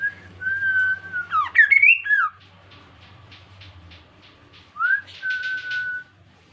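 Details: Kaso-kaso bird, an insect-eating bird described as hard to tame, in lively song used as a lure to get other birds singing: long level whistles, a twisting warbled flourish, soft clicking notes, then another level whistle.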